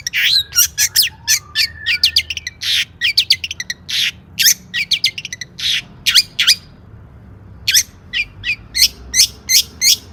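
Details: Lure song of a long-tailed shrike (cendet) with a varied, richly filled repertoire: a long stream of sharp, scratchy chirps and squawks in rapid bursts, briefly pausing mid-phrase before resuming with spaced, emphatic notes over a faint low hum.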